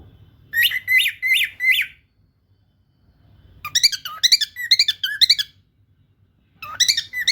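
A lutino cockatiel sings bright, rising whistles in quick repeated bursts.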